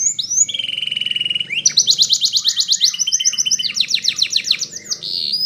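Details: Belgian canary training song: quick rising notes, a smooth warbled roll, then loud rapid trills and repeated sweeping phrases over low background noise.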